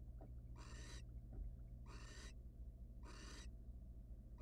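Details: Barn owls, wild, in a monitored nest box where the male delivers prey to his mate and rests briefly; three loud breathy hisses about 1.2 seconds apart and the start of a fourth, over low mechanical hum.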